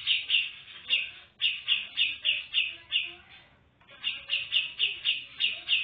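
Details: Female grey-cheeked bulbul gives bright, high chirps about three per second in two quick runs, broken by a short pause.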